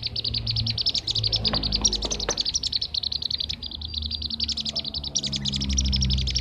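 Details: Blue-tailed bee-eater lure call (kirik-kirik). A dense, fast stream of high, sharp chirps runs without pause, about three or four notes a second, with overlapping callers and a low rumble underneath.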